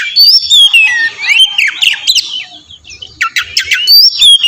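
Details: Lure song of an oriental magpie-robin meant to make another respond: sweeping whistles and harsh chattering notes, loud at the start and end with a softer middle.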